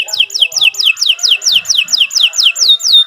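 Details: Canary song meant to get birds singing: a steady run of a dozen quick downward-slurred whistles, evenly spaced, the last one drawn out slightly longer.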